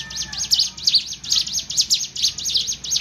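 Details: Sunda warbler, a bird learning to fight, gives a rapid series of high, sharp V-shaped chips, repeated a little more than twice per second and fairly evenly spaced.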